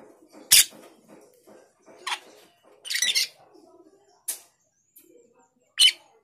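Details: Cucak keling male calling to a rival bird, giving scattered harsh, rasping bursts at irregular intervals, some short and clipped, with a quiet room-like background.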